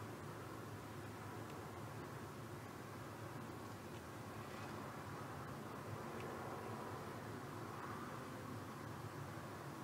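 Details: A steady broadband roar of engine or wind noise fills the recording without any animal calls.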